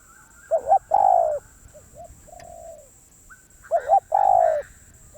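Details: Spotted dove giving two loud cooing phrases, each with a twin-note start and a drawn-out coo. A quieter, lower coo sounds between them, and a high electronic tone is present throughout.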